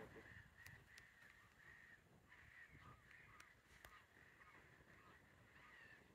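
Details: Eurasian curlew at Svartåmynningen nature reserve, Sweden, on 9 April 2023, giving a steady run of mid-pitched, slightly rising whistled notes, about two per second, over a low rumble of wind and distant noise.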